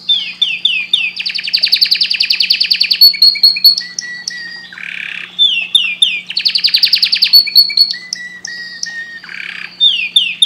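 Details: Canary singing loud, varied song: rapid buzzy trills and rows of falling high notes, repeated phrases, with a steady low hum underneath.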